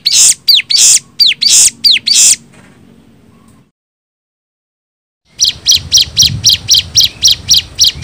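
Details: Bar-winged prinia lure song: bright hooked chirps with buzzy tails, a pause with near silence, then a faster run of short, sharp high ticks about four per second.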